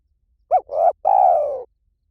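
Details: Spotted dove giving one three-part cooing phrase: a short rising-falling note, a slightly longer coo, then a long drawn-out falling coo. Mellow and low. Used as a lure sound to draw doves in. No other sounds are heard.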